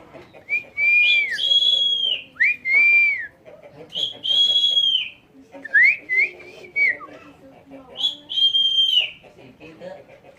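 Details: Asian pied starling (jalak suren), a year-old pet that can talk and "cry" by itself, whistling clear, sliding phrases of a learned tune, each about a second, with short pauses and faint background rumble.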